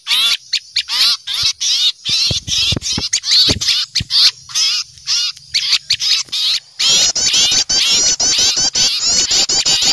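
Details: Lure recording of small birds frightened by an owl: fast, uneven harsh chips and scolding notes, roughly two per second, becoming a dense continuous rasping chatter in the last three seconds.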